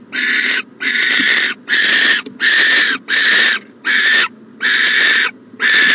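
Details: Owl at its nest box on a January 2020 morning: loud, rasping, noisy hisses of about half a second, repeated roughly eighty times a minute with short gaps, faint hum in background.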